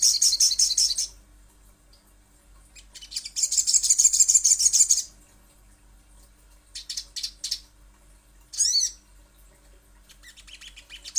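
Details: Little spiderhunter, used as a lure recording to make other birds call: bursts of rapid, very high chattering notes, a long buzzy run in the middle, then short stuttering groups and one sharp swooping note.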